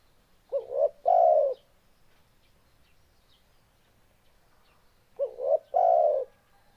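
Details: Two spotted dove song phrases roughly four and a half seconds apart, each two short upslurred notes and a sustained low coo, in a quiet setting.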